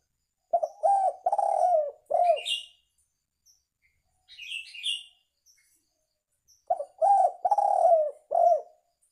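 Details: Spotted dove coo for luring birds: a phrase of four or five low, mellow coos, a pause with high twittering chirps from another bird, then the cooing phrase repeats.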